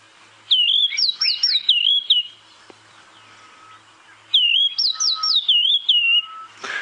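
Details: White-browed Scrub Robin singing two matching phrases of high, looping whistled notes, about two seconds each, spaced several seconds apart, otherwise quiet; recorded on a sunrise safari drive at Djuma Game Reserve, where it calls before other birds, signalling dawn.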